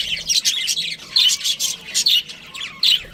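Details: Pet budgie giving quick shrill chirps and scratchy warbles in short bursts, a little over one each second.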